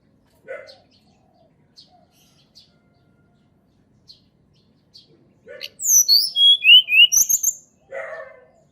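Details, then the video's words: Sunda robin, recorded in nature as a lure for quiet birds: faint scattered ticks, then one loud phrase of quick descending whistled notes lasting under two seconds, followed by a husky low call. "TLEDEKAN GUNUNG SUARA ASLI ALAM \\ COCOK UNTUK PANCINGAN TLEDEKAN MALAS BUNYI"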